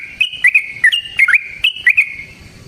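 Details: Lure recording of a Yellow-vented bulbul's fighting song: liquid, bubbling phrases of rising and falling whistled notes, delivered in short grouped bursts.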